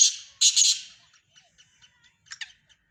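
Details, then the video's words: Black francolin, called Sindhi teetar, among several francolin voices: a loud, rasping burst of three grating notes opens the recording, followed by faint scattered clicks and a soft double rasp near the end. "کالے تیتروں کی مکس آوازیں سندھی تیتر"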